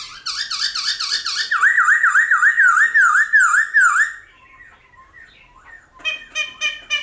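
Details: Black-throated laughingthrush song, 'old forest' voice for stimulating wild-caught birds: a rapid chain of about a dozen loud looping whistles, a quiet gap, then harsh buzzy chattering notes.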